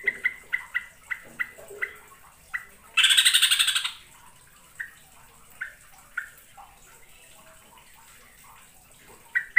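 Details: Yellow-vented bulbul (trucukan) lure recording from Indonesia, used for trapping birds with birdlime, described as lively 'gacor full isian' song with long rolls: short bright notes repeated at irregular intervals, broken by one harsh, noisy chattering burst lasting about a second.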